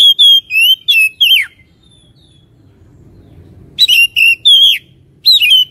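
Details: Lure song of an Oriental magpie-robin used to stir fighting spirit: quick sequences of sharp, falling whistles separated by a silent gap, then a further set of bright whistled notes.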